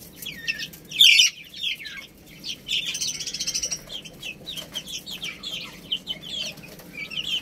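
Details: Baby chicks eating rice let out one loud piercing peep, then a run of rapid, repeated shrill cheeps mixed with soft pecking taps.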